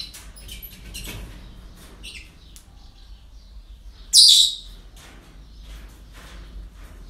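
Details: Parrots at a breeding centre on an ordinary day; faint scattered chirps, then one loud harsh high screech about halfway through, followed by soft chatter in a quiet room.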